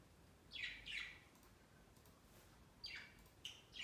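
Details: Budgies flocking onto a large indoor Christmas tree beside their cage during their first Christmas. Paired quick chirps, then a few more high falling notes, soft and irregular.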